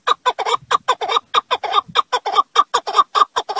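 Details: Partridge calling: a rapid run of harsh, clucking chuck notes, about five per second, steady and evenly spaced throughout.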